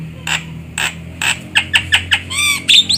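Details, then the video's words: Javan myna sound played as a trapping lure: a run of rough, raspy bursts repeated about every half second, speeding up, then a short nasal tonal note and a final scratchy chirp. "Suara burung jalak kebo untuk pikat"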